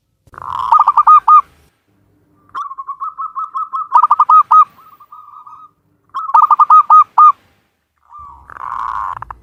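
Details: Local Javan zebra dove recorded in Cilacap, Central Java, Indonesia, giving clear cooing phrases: quick runs of short, even, rising-falling notes in several bursts, with a softer trilled passage between them and a rougher coo at the end.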